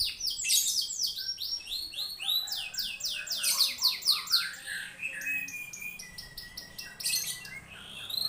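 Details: White-rumped shama singing hard to a lure recording: fast, high, repeated sweeping notes in rhythmic bursts, dense chatter and bright whistles throughout.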